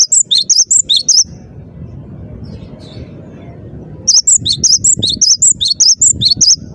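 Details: Bursts of bright, piercing whistled notes from a singing Cinereous tit (gelatik batu, gacor style), swinging between higher and lower tones at a brisk pace; a quiet gap of about three seconds separates two runs, with low hum beneath.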